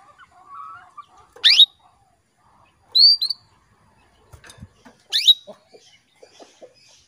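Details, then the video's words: Female canary calling a male into breeding condition, giving a sharp rising sweep, then a pair of arched tweets, then another rising sweep, with soft clicks and brief low chatter between them. "PANCINGAN KENARI BETINA MEMANGGIL JANTAN"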